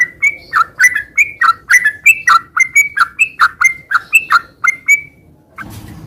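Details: Sooty-headed bulbul singing lively 'garuda sambung ngeropel' style, meant to stir moulting bulbuls into song: a run of short bubbly chirped notes, each dipping and rising, repeated about once a second before a brief rustle.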